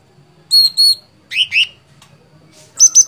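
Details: Sooty-headed bulbul (cucak cungkok) gacor fighter song: two steady high whistles, then two lower rising slurs, a pause, and two sharp high notes at the close.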